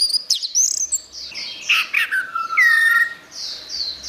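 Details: Orange-headed thrush singing gacor in a masteran recording meant for tutoring cage songbirds: bright high twitters and clicks, then a clear whistle falling and levelling out, followed by softer buzzy warbled notes.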